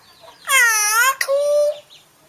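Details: Talking hill myna offering a New Year greeting: two loud, voice-like syllables with rich stacked harmonics. The first is long and gently arching, and a short break comes before a steadier, flatter second syllable, all within about a second and a half.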